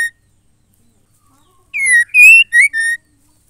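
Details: Female white-rumped shama call, said to stimulate males to sing. After a silence comes one tight burst of four loud, buzzy notes: falling, rising, then steady.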